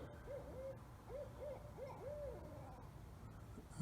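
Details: A barred owl heard at about 3 a.m. in pitch dark from a town suburb gives a quick run of about six mellow, arching hoots over two seconds, against a steady low rumble.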